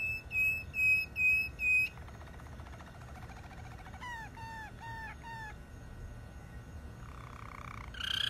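A Malinois canary sings a varied song: four clear whistled notes, then a fast rolling trill, a run of repeated dropping notes and a final steady tone.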